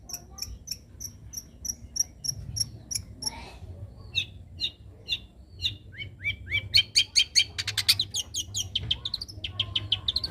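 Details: Young long-tailed shrike from the wild: a run of evenly spaced high ticks, then buzzy mid-pitched notes, then a fast rattling series of varied sharp notes; low background rumble throughout.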